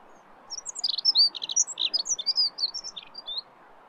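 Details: Dunnock (Prunella modularis) song: a hurried, scratchy, high-pitched warble of squeaky notes tumbling together for about three seconds, loud and clear above a quiet low rumble.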